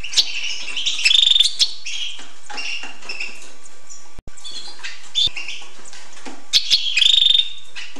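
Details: Lively twittering song of a hooded siskin: busy chirps and scratchy notes with two loud buzzy trills, a brief gap near the middle.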